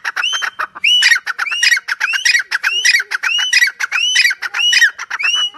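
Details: Francolin (teetar) calling loudly: a rising, upward-swept shrill note repeated about every seventy-five hundredths of a second, each followed by rough, grating notes, forming a steady harsh rhythm.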